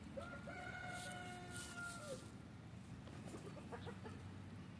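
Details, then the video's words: Free-range backyard F3 Olive Egger rooster, the flock's lead rooster, gives one drawn-out crow of about two seconds, held level then dipping at the end, followed by softer clucks and a low background rumble. "Olive Egger Rooster Crowing"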